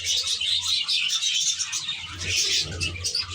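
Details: Short burst of aviary budgerigar chatter: many birds trilling and squeaking at once in a dense high-pitched mix, with a soft low hum beneath.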